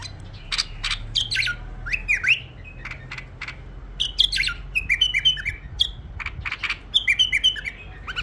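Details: Tame bulbul. Clear whistled notes slide upward and downward in short groups, alternating with sharp clicks and rattling noises.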